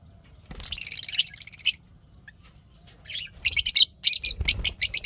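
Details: Pet lovebirds chirping happily: bursts of rapid, high, buzzy twittering chirps in dense clusters, with a short pause before fast repeated sharp chirps resume; a faint low rumble underneath.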